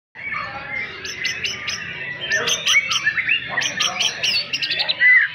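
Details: White-rumped shama singing: dense, varied chattering and whistled notes with sharp clicking strokes, growing louder toward the end over a steady background hiss.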